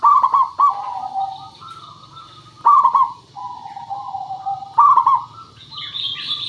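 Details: Local zebra dove singing, used as a lure to prompt birds to answer. Loud bubbling stuttered bursts come about every two seconds, each trailed by softer wavering coos. A brief higher chirping bird sounds near the end over faint hiss.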